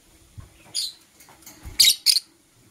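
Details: Masked lovebirds, green and blue birds, chirp in the morning with a run of loud, shrill high-pitched notes, the last two strongest and closely spaced, over faint low thumps.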